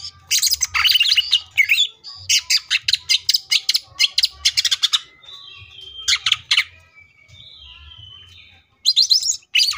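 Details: Cucak ijo (leafbird) in full tembakan song with plenty of material: long runs of rapid, loud, harsh high chirps and squawk-like notes, a quieter twittering stretch, then another sharp burst.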